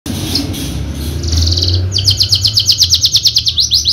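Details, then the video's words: Caged Javan Horsfield's bushlark, a contest bird with a full song repertoire and several wins: low background hum, a brief high buzzy phrase, then a fast run of sharp, evenly pulsed high chirps. "KICAU MERDU BRANJANGAN JAVA"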